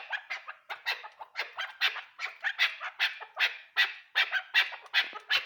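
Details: Chukar partridge calling with harsh, clipped notes repeated in a steady rhythm about two to three times per second, each burst rough and mid to high pitched, with no other clear sounds.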